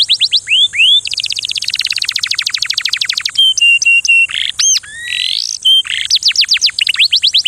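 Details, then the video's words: Canary singing a loud, varied song: rapid trills of rising whistled notes, a long buzzy rattle, then clear sliding whistles and fast repeated chirps, with a steady high hiss behind. "تغريد كناري فريد من نوعه 🍂🌿 Um tweet canário único"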